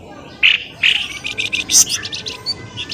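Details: A short stretch of lure birdsong for drawing birds from undergrowth: two bright, sharp chirps, then a run of fast, scratchy twittering notes climbing to a piercing high peak.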